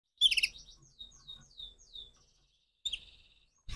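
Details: Crossbred canary singing in the morning: a loud burst of bright chirps, then a run of descending whistled slurs repeated about every third of a second, a pause, and a short buzzy trill.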